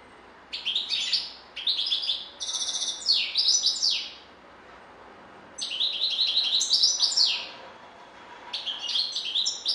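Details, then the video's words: European goldfinch sings in bursts of bright, high, tinkling twitters and fast buzzy trills, each burst lasting one to two seconds with short pauses between them, over a quiet background. "La Star du Chant d'oiseaux"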